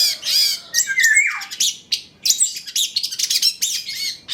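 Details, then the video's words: Trotol cendet, a Long-tailed shrike, singing richly filled training song meant to set other shrikes singing. Opens with a drawn-out harsh note sliding downward, then rapid high chips and twitters. "PANCINGAN CENDET TROTOL AGAR BUNYI, MASTERAN CENDET GACOR FULL ISIAN"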